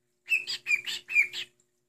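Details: Indoor pet cockatiel giving three quick high chirps in a row, each a short note that jumps upward at the end, loud and clear against a silent room.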